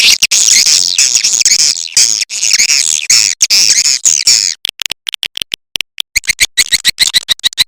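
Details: Swiftlets on a lure call used by Indonesian swiftlet farmers to attract birds chatter in dense, buzzy high twitters that run in a continuous stream, then break into short clicking bursts about twice a second.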